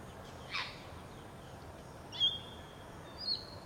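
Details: Grey parrot (Psittacus e. erithacus) at Entebbe, Uganda, January 2025, gives a brief harsh downslurred squawk, then two clear high whistles about a second apart, over a steady soft hiss.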